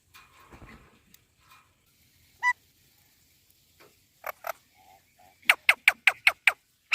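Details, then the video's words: Indian parrot calling: a single sharp note after a quiet start, then paired harsh calls and a quick burst of six loud, clipped squawks about a third of a second apart. "Indian Parrot Talking Video | Mitthu Tota Ki Awaz"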